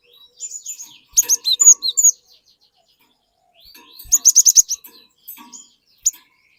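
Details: Cinereous tit used as a singing lure for an untrained bird: two dense bursts of shrill, rapid chirps, the second a fast even run, with softer notes and a single chirp after.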